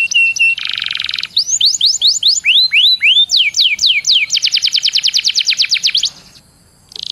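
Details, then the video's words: Canary song played as a lure for other canaries: short whistles, a buzzy roll, then a long series of rising-falling swept notes accelerating into a rapid trill before a short silence. "PANCINGAN KENARI BIAR CEPAT GACOR"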